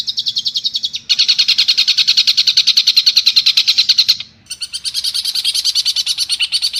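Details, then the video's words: Pentet, or long-tailed shrike, giving harsh rapid mimicry for a training recording: short rattling burst, a long steady buzzing trill, a pause, then a faster grating run. "MASTERAN PENTET FULL TEMBAKAN KASAR GEREJA TARUNG_TENGKEK BUTO_KUNTI!!!"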